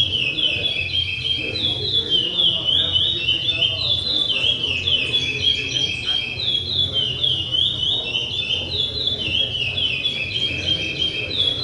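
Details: Chestnut-bellied seed finch (curió) delivering a sustained, rapid stream of high, sliding whistled notes in repeated wavering phrases, loud throughout, with a faint low hum underneath.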